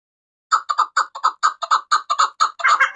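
A chukar partridge gives a rapid run of harsh, clucking chuck notes, about four a second, growing louder and more run-together toward the end.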